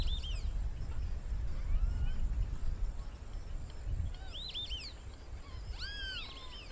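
Whistling Heron giving thin, high whistles in three brief bursts, with a steady low rumble of wind underneath.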